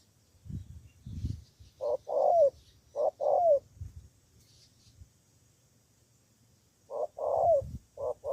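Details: Spotted dove decoy bird from Cà Mau, Vietnam, used for luring wild rivals, giving short hoarse cooing phrases: a soft note followed by a longer falling coo, repeated in bursts with a silent pause, faint low thumps beneath.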